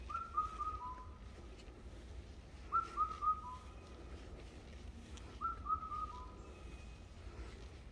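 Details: In a mountain forest a bird whistles a short phrase of about four descending notes, repeated three times at intervals of roughly two and a half to three seconds, with faint low rumble throughout.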